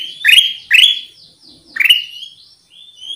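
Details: Three loud rising chirps from a Black-capped bulbul, played as a lure, each trailing into a thin high whistle.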